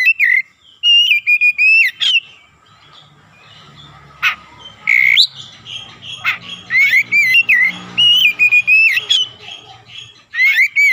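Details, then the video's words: Kacer (Oriental magpie-robin) singing 'gacor' as a lure to excite other kacer. Strong whistled and warbling phrases at first, a quieter noisy stretch with scattered sharp notes in the middle, then a dense run of varied whistles. "PANCINGAN TERCEPAT MENAIKAN EMOSI KACER GACOR DENGAN CEPAT"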